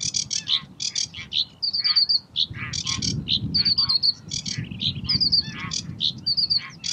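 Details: Sedge warbler in song at the Uitkerkse Polder, Belgium, May 2016; scratchy chattering notes mixed with short rapid trills of thin repeated whistles, a varied restless phrase, with a low rumble of background noise.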